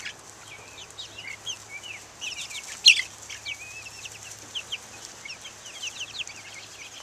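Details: Chicks (Buff Orpingtons, Black Australorps, Ameraucanas) outside in 2010, peeping steadily; clear high sliding chirps from several birds, one louder sharp peep near the middle, otherwise an even run of calls.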